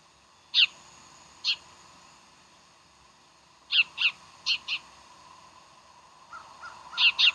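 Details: Bald eagle calls at Decorah, 15 January 2012: a series of short, high, squeaky piping notes, at first spaced out, then quicker pairs and a final cluster, over constant faint hiss.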